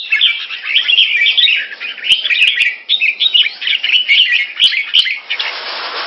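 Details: Pet Red-whiskered bulbul in Singapore performing keke on command: a continuous run of fast, squeaky chattering notes for about five seconds, with sharp clicks scattered through, ending in a burst of hissy noise.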